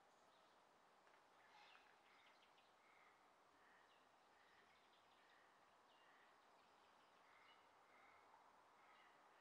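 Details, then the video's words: Black currawong in Murdunna and Eaglehawk Neck, Tasmania, June 2023, giving a steady series of short, clear mid-pitched notes, about one every half second, over a constant rushing hiss. "Black Currawongs"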